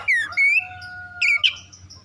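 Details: Oriental magpie-robin song for provoking birds into fierce singing: loud slurred whistles that rise and fall, a steady held tone running beneath, and sharp bright notes near the end.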